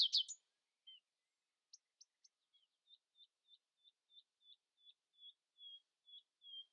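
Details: A common nightingale sings at dawn to stay louder than its rivals. One harsh burst, a few sharp notes, then a long string of evenly spaced whistled notes, about three per second, swelling in volume.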